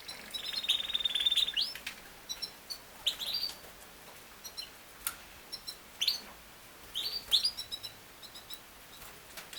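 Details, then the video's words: Yorkshire canary, a breed also called king size canary, singing: a sustained high, even trill lasting about a second, then a series of short, bright rising chirps and clicks in scattered bursts over faint steady hiss. "BEST CANARY SINGING"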